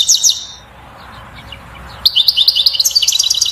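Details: Chattering 'batbata' song of a European goldfinch, sung to stimulate a female to mate and nest. Two bright chirps, a lull, then a fast steady stream of high tinkling twitter notes.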